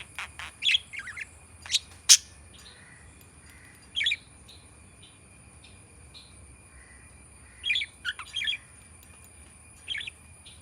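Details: Black-faced budgerigar kept as a pet, giving short bright chirps and squawky warbled notes in scattered bursts a few seconds apart, with quiet stretches between them and a steady faint high hum in the background.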